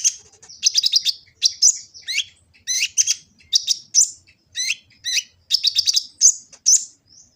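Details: Kolibri ninja sunbird from Gresik, East Java, in a varied song used to coax and tutor other birds, phone-recorded: bursts of high squeaky twitters and zipping notes in quick clusters separated by short pauses.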